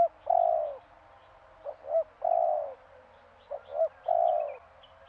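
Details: Spotted dove from Madura in the morning: soft, hollow cooing, a pair of short notes followed by a long drawn-out coo, the pattern given twice about two seconds apart in a quiet setting.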